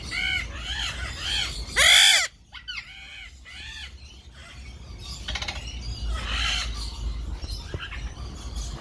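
Golden-collared macaws give harsh, grating squawks in quick bursts, with one loud screech near two seconds and softer chatter after.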